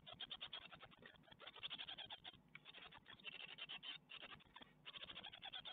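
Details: Nest of great tits at Ostwald on 12 May 2021, chicks being brought a spider: nearly continuous high, shrill twittering in quick pulses with brief lulls, over soft scraping sounds, webcam recording.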